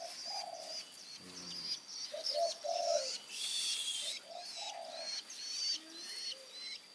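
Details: Three-week-old Long-tailed shrike chick being hand-fed crickets, giving thin, high, scratchy begging notes in short bursts, while lower mellow cooing sounds repeat underneath.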